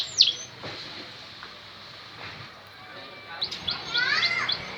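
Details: Canary song used as a lure to get a lazy canary singing: a sharp descending chirp at the start, quiet stretch with soft notes, then a burst of rapid, high twittering and warbled phrases.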